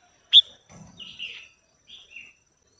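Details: Female red-whiskered bulbul singing to stimulate a male: one sharp, loud chirp followed by softer, slurred warbling phrases that fade out.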